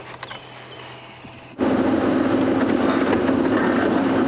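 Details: A safari drive at sunrise, with a vehicle engine starting up and then running as a loud steady rumble, and no animal voices.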